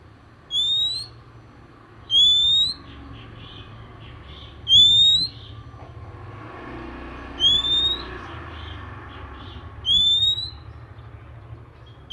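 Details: Morning song of an oriental magpie-robin, said to prompt other magpie-robins to join in: five pure, slightly rising whistles, each about half a second long and repeated roughly every two and a half seconds, over a low hum.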